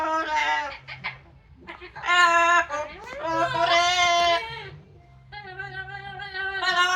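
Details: Outdoors after a shower, a pet Yellow-naped amazon makes noise while drying off in the sun: loud, strained, rising and falling squalls, then a steady held tone, partly talking-like in character.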